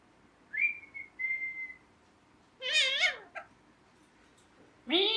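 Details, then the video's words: Caged pet ringneck parrot whistling a short steady high note twice, then letting out a loud harsh screech that falls in pitch. A rough rising squawk ends the sequence after a pause. "Parrot Chirping Sounds"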